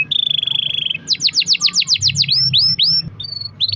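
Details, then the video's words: Singing canary used to coax other canaries into song: a level buzzy trill for a second, then a quick run of sharp downward-sweeping whistles and a few rising upslurs, with a soft low hum underneath. "kenari gacor ROL PANJANG buat pancingan kenari agar bunyi"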